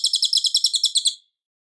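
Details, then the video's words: Cililin song for training White-rumped Shamas, loud and clear: a brief burst of about a dozen quick, shrill, buzzy notes in an even trill, stopping after just over a second. "MASTERAN MURAI BATU - suara Cililin Gacor jernih keras berjeda 10 detik"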